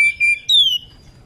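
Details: Short whistled call of a female Oriental magpie-robin in breeding condition calling its companion: a steady high whistle, a brief note, then a longer falling whistle.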